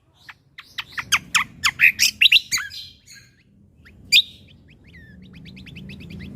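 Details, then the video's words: Cucak kombo (lesser green leafbird) in full 'gacor' song for use as a masteran tutor: an accelerating run of loud, sharp ringing chirps building to a peak, then one isolated crack and softer rapid high twitters over low background noise. "Cucak Kombo Gacor Mentalan Pas Untuk Masteran Burung Isian Tembakan"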